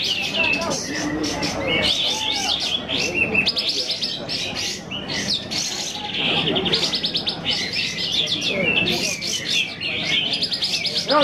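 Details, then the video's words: Several sooty-headed bulbuls singing at a bird-singing competition, a dense chorus of bright, rapid chirps and trilled phrases overlapping almost without pause, with faint talk in the background. "Lomba burung kapas tembak"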